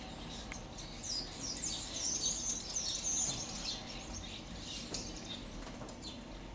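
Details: Several starlings in a kaki (persimmon) tree, recorded 12/07/12: a flock's high, squeaky whistles and thin chattering notes run together in quick overlapping bursts, over steady low background rumble.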